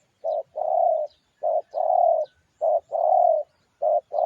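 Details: Lure recording of a spotted dove cooing: paired phrases of a short soft note followed by a longer, steady, hollow coo, repeated about every 1.2 seconds, with almost no background noise.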